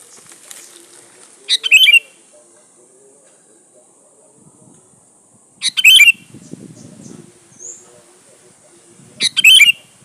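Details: Sooty-headed bulbul (kutilang) song played as a lure to draw other birds: short bright bubbly phrases with a few quick notes then a louder burst, repeated about every four seconds; a steady high hiss underneath and faint low rustling.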